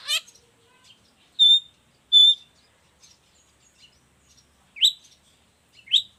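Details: Long-tailed shrike, a bird suited for tutoring and luring other shrikes, giving sparse song: a few separate clear whistled notes and short rising chirps spaced by quiet gaps over several seconds.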